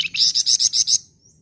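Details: Minivet in lively song: a loud burst of six bright, high, evenly spaced chirps over about one second, ending with a faint thin trailing note.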